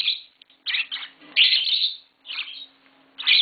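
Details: Two green Fischer's lovebirds, a pair mating at home, give sharp, shrill, squeaky chirps in separate bursts with brief silences between them. A low hum sits in the background.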